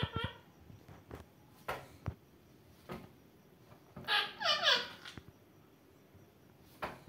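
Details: Indian ringneck parakeet voicing a brief speech-like phrase of several sliding, harmonic-rich syllables, set among scattered clicks and knocks and a final short squeak.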